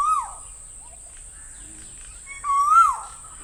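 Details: Asian koel calling: two loud whistled notes about two and a half seconds apart, each swelling upward in pitch and then sliding down, with a steady high hiss running underneath throughout.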